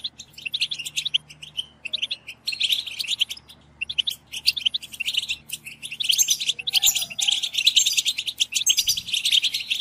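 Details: European goldfinch group chatter, known as batbata, used to excite goldfinches to sing: bursts of rapid high twitters broken by short pauses, growing denser and more continuous in the second half.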